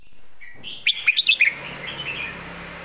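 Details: Red-whiskered bulbul kept in a cage delivers a loud southern master song phrase: a quick burst of four or five bright, warbling whistled notes after a brief soft lead-in, with faint background hiss.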